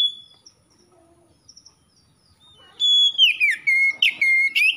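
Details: Magpie-robin in gacor style: faint thin high notes at first, then a loud burst of clear whistles sliding down and repeated in short choppy phrases with sharp chirps.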